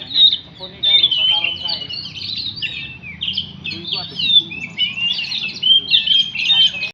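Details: Oriental magpie-robin song, a steady flow of high, quick warbled phrases and chirpy whistles without long pauses, with a faint low murmur underneath.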